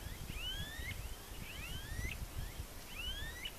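Smooth-billed ani giving whining, upslurred whistles, a few overlapping, repeated about every second and a half over a steady low rumble of wind.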